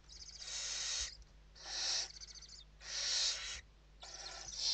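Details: Western barn owls inside a nest in Spain during evening feeding on 29 November 2023; four harsh, broad hissing screeches, each about a second long, follow one another with short gaps.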